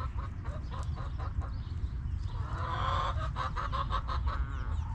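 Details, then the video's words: Backyard chickens: a run of loud, harsh, honking clucks repeated rapidly, swelling in the middle, with low rumbling noise underneath. "Hens Clucking!"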